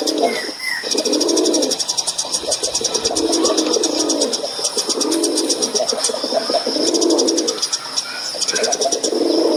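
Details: Cooing of a male dove, a series of low, rounded coos repeated about every one and a half seconds over a constant shrill insect drone and rapid clicking.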